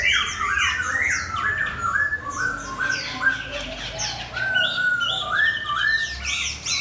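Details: Chinese hwamei set against a fighting bird in competition, pouring out rapid loud whistled phrases, repeated downward-slurred notes and sweeping upward trills, fairly continuous, over a faint low hum.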